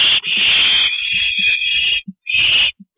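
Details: Nest of an owl at night, 2:40 AM on April 22 2012, as a parent stops by: one long rasping hiss trails off, then a shorter hiss, with faint low clicks in the pauses.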